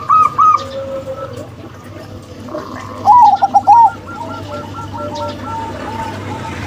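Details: Local female and crossbred male zebra doves give short bursts of quick, rounded cooing notes, first a brief run, then a louder cluster near the middle followed by fainter repeated notes, with a constant low background hum.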